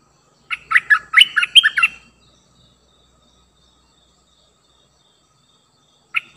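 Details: A new decoy Cream-vented bulbul gives one quick, bubbly phrase of chirpy notes lasting about a second and a half, then silence and a single short note.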